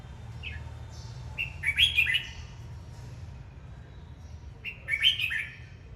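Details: A red-whiskered bulbul sings as it dances, delivering two rich, rolling phrases of quick whistled notes that slide up and down, separated by a pause of about three seconds; soft background hum throughout.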